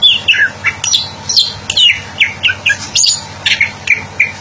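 Greater green leafbird song: a quick, varied string of bright slurred and chirping notes, about three per second, some dropping in pitch, with a faint low hum behind.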